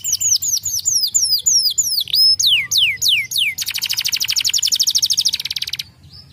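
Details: Canary singing a series of descending whistled slurs and a short steady note, then a fast, dense, buzzy trill that stops abruptly, with a brief chirp at the end.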